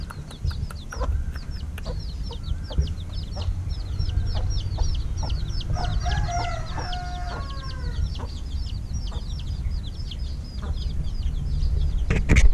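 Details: Recently hatched chicks, a little over a week old, peep steadily at evening feeding; a longer, lower, harmonic call rises and falls near the middle, over constant low hum and some clicks.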